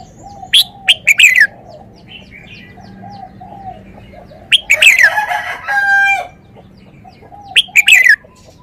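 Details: Red-whiskered bulbul repeating a lively phrase of three or four quick, bright whistled notes slurring downward, heard three times, with a loud rooster-like crow in the middle.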